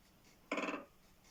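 A Great Spotted Woodpecker drums one brief, rapid roll of knocks lasting about a third of a second, over quiet indoor room tone.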